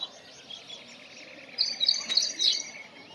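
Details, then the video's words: Brown rock chat (Oenanthe fusca), or Indian chat, gives a quick run of high, sharp chirps in the second half, over a faint background of other small twittering birds. "Brown rock chat Bird - Indian chat Bird"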